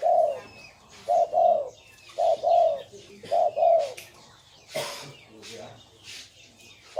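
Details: Spotted dove cooing: low, hooting coo notes in quick pairs, repeated about once a second, while higher chirps from other birds and brief rustling noises sound in the background.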